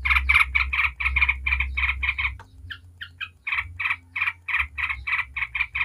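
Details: Yellow-vented bulbul in rapid 'ngebren' style chatter, used as a lure to get other bulbuls singing: fast strings of harsh, buzzy notes, about three per second, with a brief pause midway and a steady low hum beneath.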